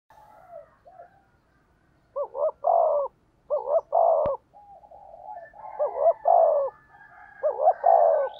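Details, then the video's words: Spotted dove 'thúc gù' cooing meant to draw in wild doves; repeated phrases of two short throaty hoots and a drawn-out falling coo, with softer murmured notes between and a single sharp click midway. "tiếng chim cu gáy thúc gù hay nhạy bổi, bổi nghe rất xiêng gáy"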